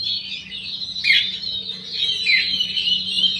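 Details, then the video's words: An oriental magpie-robin sings in a rival-provoking style: a continuous, high, rather quiet warbling twitter with two downward-slurred notes, flowing without pause. "gayanya bikin emulsi lawan"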